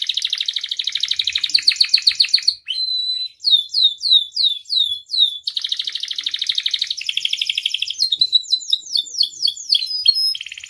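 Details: Canary singing at length, played as a master and lure to make canaries sing: rolling buzzy trills alternate with runs of descending whistled sweeps and steady pulsed phrases, loud and continuous throughout.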